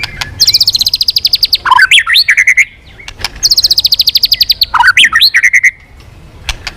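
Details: Lively white-rumped shama, once silent and now singing often, twice repeats a phrase: a fast high buzzy trill of about fifteen pulses, then rich downslurred and looping whistles, each phrase lasting about two seconds.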